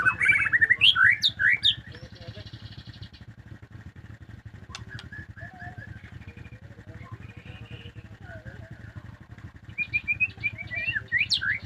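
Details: Caged household white-rumped shama singing loud bursts of rich, varied whistles and sharp rising notes at the start and again near the end, with quieter twitters between, over a steady low engine-like hum.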